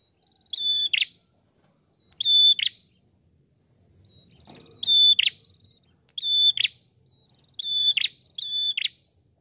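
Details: Red-headed prinia sings short high phrases, each a thin whistled note ending in a dry buzzy burst, repeated about every one to two seconds, with a faint low rustle midway.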